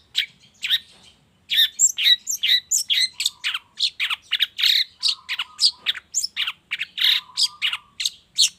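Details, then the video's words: Long-tailed shrike lure song in the morning, intended to make shrikes join in: dense, varied chattering of harsh scratchy notes and squeaky slurs, delivered almost without pause after a brief opening. "suara pancingan cendet cendet di pagi hari YANG BIKIN CENDET MACET sekalipun IKUTAN BUNYI toet toet"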